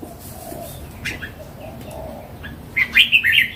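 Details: A mature wild red-cheeked Red-whiskered bulbul sings one bright, rapid phrase of four or five bubbling notes near the end, with a few faint chirps earlier and soft hiss.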